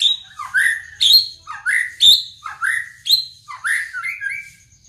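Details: White-rumped shama repeating one whistled phrase about once a second: a high note dropping into a lower, swooping slur, given seven times with slight variations.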